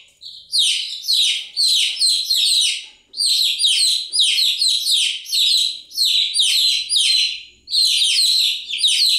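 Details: Chicks chirping continuously: a dense chorus of high, downward-sliding peeps repeated in quick overlapping bursts, with brief pauses every second or two and no other sounds.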